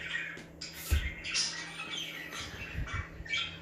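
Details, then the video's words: Budgerigars chirping to stir other budgies into activity; harsh chirps and squeaky chatter mixed with several dull low thumps, a faint steady hum beneath. "Budgies Chirping Sound That Make Other Birds To Be Active"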